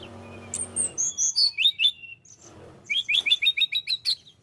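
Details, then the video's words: Tledekan gunung in full, lively song, kept to lure other birds: a soft murmur at first, then a quick string of high, bright whistled phrases, a pause, and a fast repeated series of short descending notes. "tledekan gunung gacor"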